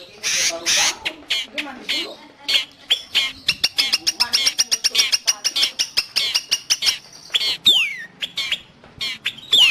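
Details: A long-tailed shrike, for training cage birds or luring wild birds, gives rough harsh notes, then a long fast ticking chatter, with a clear down-slurred whistle near the end.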